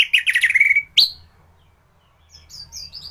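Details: Caged orange-headed thrush singing, used as a training song for other birds: a fast run of chirpy notes sliding down into a level whistle, then a sharp rising note, and later high thin whistled phrases.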